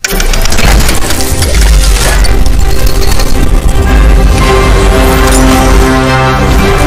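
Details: Loud, dense music with heavy bass and crashing percussion throughout, no animal voice standing out.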